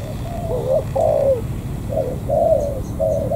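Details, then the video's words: Close, clear cooing of a newly caught wild spotted dove from the An Giang border gate, Vietnam: drawn-out, gently wavering hollow notes in short groups with brief pauses between. "Cu gáy bổi thổ cửa khẩu An Giang"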